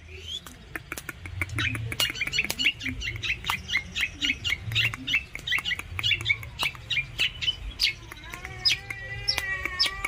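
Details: Long-tailed shrike in full song: rapid chattering bursts of squawky notes repeated in quick series, ending in a run of rising harmonic whistles, with steady low hum beneath.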